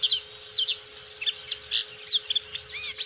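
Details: Black-capped white-eye singing energetically, a kept songbird: high, sweet twittering phrases made of short slurred whistles and curving notes, packed closely together, over a low steady hum and faint rumbling.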